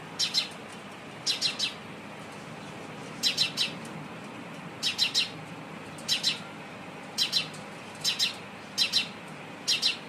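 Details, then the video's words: A sparrow gives bright, high chirps in quick bursts of two or three notes, about once a second, against a steady background hiss. "sparrow sound"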